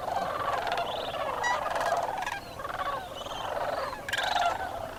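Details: Wintering sandhill crane flock at dawn at Bosque del Apache National Wildlife Refuge, flying out from an overnight roost on a frozen wetland pond; continuous overlapping rolling, trilled bugling calls with a swell near the end.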